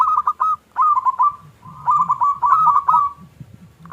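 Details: Zebra dove, local type, singing a "klung kecil" lure song to provoke other doves: short bursts of ringing, slightly trilled coos with gaps, over a faint low murmur.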